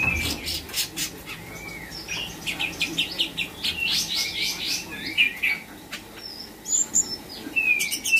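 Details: Trotol cucak cungkok kept in Bandung, in training and filled with copied songs of Katem, Bren, Rambatan, Parkit and Srindit. Quick sharp chirps and short whistled slurs tumble out in a lively, uneven stream.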